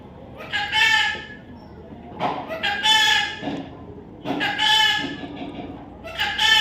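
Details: Harsh nasal squawks from a baby parrot, each roughly a second long and coarse with overtones, repeated four times at fairly even intervals of about one and a half seconds.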